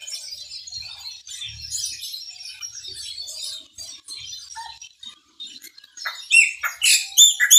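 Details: Chopi blackbird singing its maranhãozinho song: soft distant high chatter at first, then loud, sharp, rapidly repeated clicking and whistled notes bursting in over the final two seconds.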